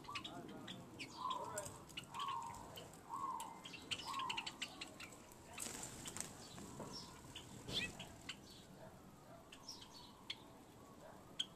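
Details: Java sparrows in a backyard give four short, clipped mid-pitched notes about a second apart, then scattered soft chips over rustling, clicking background noise and faint murmuring.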